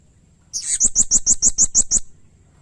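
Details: Blue-crowned hanging parrot (serindit) in active, lively voice, used as a training and lure recording for songbirds: one burst of about nine shrill, very high, thin notes, each with a slight upward flick, about seven per second, then quiet.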